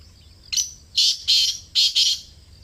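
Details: Close recording of a Kala Teetar, or black francolin, in Pakistan uttering a scratchy call phrase: one brief harsh note, then two long buzzy rasps and a rapid double rasp.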